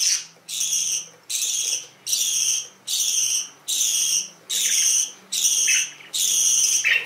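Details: Canaries calling in a steady series of eight evenly spaced, harsh high bursts, each around half a second long, repeated more than once a second over a quiet low background hum.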